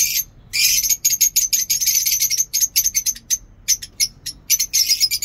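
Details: Lovebirds in a home aviary giving dense, shrill, high-pitched chattering squeaks in rapid, uneven bursts, with brief pauses between runs of calls.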